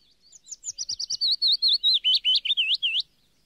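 A Yellow warbler sings a quick, sweet phrase of about a dozen high slurred notes, speeding up then ending in emphatic upslurs, over three seconds.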